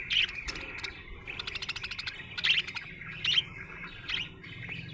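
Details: Budgie chirping happily: rapid buzzy rattling phrases alternate with loud squeaky chirps repeated about once a second over a constant chattering background.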